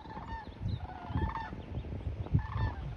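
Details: Migrating sandhill cranes flying south for winter in January 2024 make loud gawking: rolling, rattled trumpet calls from several birds, repeated about every half second, over a heavy low rumble.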